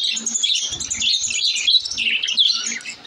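Lovebirds chatter in a continuous stream of shrill, high chirps and squeaky twitters, overlapping with no pause, inside a small room.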